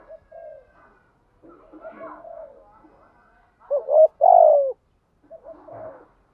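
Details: Spotted doves, male and female, cooing to stimulate other doves to call. Soft, muffled coos fill the first part, then two clearer, louder coos, the second long and falling, before faint notes return.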